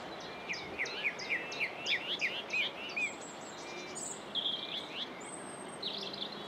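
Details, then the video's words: Common whitethroat singing at Saltersford Locks on 8/5/2013: a quick burst of scratchy, chattering notes sweeping up and down at mid-high pitch, then a thinner high whistle and a second brief phrase against faint background hiss. "whitethroat at Saltersford Locks 8/5/2013"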